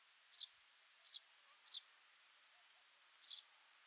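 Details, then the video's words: Sudan golden sparrow giving four short, high, bright chirps at uneven intervals over about four seconds, against a faint steady hiss. "Golden Serenade: The Sudan Golden Sparrow's Melody"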